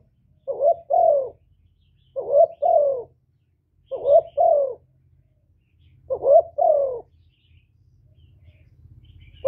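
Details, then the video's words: Spotted dove cooing nonstop to draw in other doves. Four double coos come about every two seconds, a brief upswept note followed by a drawn-out descending one, with a soft low rumble beneath. "CU GÁY LIÊN TỤC KÍCH BỔI RẤT HIỆU QUẢ"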